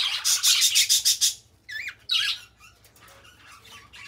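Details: Pet budgies singing and talking: a burst of about eight rapid, harsh pulsed notes, then a pause and wavering whistled, squeaky warbles, fading into quieter chatter.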